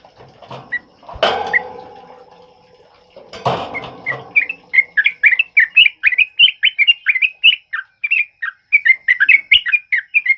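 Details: Sooty-headed bulbul in the loud, rapid 'ropel uplik' style, used as a training song for other birds during heavy rain. Noisy rustling and splashing open the recording, then a fast steady stream of bright chirped notes follows.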